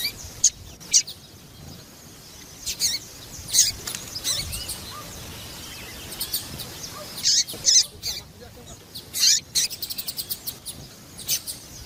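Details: Female papa-capim calls meant to stir males into song: sharp, very high chirps scattered irregularly, some in short rapid series, separated by quiet gaps with low background noise.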